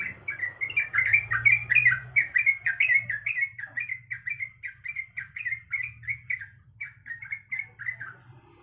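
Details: Female sooty-headed bulbul in breeding condition calling the male: a rapid, steady run of bright chattering notes, about three per second, each flicking up and down, with a faint low hum beneath.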